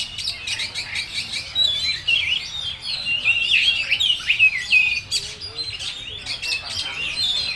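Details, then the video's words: Oriental magpie-robin (kacer) singing a full-repertoire song, 'full materi': a rich, continuous run of varied whistles, slurred rising and falling notes and quick chirps, with brief louder bursts and no long pauses. "Suara burung KACER full materi"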